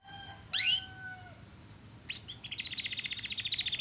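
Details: Canary song with a long roll style: a quiet, steady low whistle, then a bright upward sweeping note, a pause, and a fast pulsing trill building at the end.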